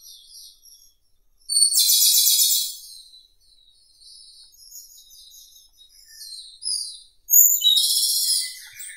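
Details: Japanese robin song: a loud, dense, rattling trill of about a second, then soft high twittering phrases and a second loud trill starting at the end.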